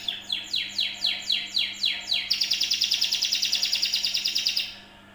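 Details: Canary song played to lure other birds into singing: a series of high, falling swept notes, then a fast, bright, buzzy trill held for about two seconds before it stops, over a faint low hum.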